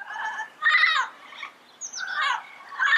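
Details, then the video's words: Yellow-headed parrot in the wild: raucous, nasal, grating squawks, three strong bursts under a second long each, with a brief high whistle from another bird between them. "Yellow-Headed Parrot Sounds - Natural Bird Calls and Songs in the Wild"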